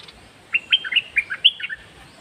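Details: Caged red-whiskered bulbul singing in the dok taeng (melon flower) style: a quick string of clear whistled notes jumping up and down, rising toward a bright high peak, then dropping to lower slurred notes.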